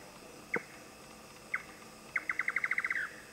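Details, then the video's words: An Indian nightjar in Thailand, voice only: two spaced, sharp knocking notes, then a rapid run of about a dozen accelerating tocks ending in a short slurred flourish, over faint background hiss. "インドヨタカIndian NIghtjar声のみ"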